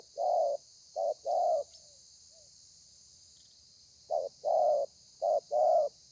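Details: Spotted dove, a wild-caught bird, calling thổ pha style on 30/11/2020: two pairs of low rounded coos, a silent gap of about two seconds, then two more pairs, over faint hiss.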